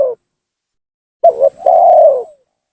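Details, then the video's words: Spotted dove lure call used to provoke and draw down rival doves: a short mellow coo, then a quick double-note coo followed by a long drawn-out coo slurring slightly downward. "suara pancingan gacor tekukur memaksa menurunkan lawan,bikin emosi lawan."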